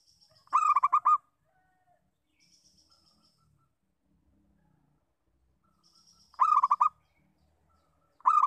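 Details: Local zebra dove giving its lure call: short bursts of rapid, evenly pulsed cooing notes, five or six per burst, separated by several seconds of near silence; faint high whistles from other birds between bursts.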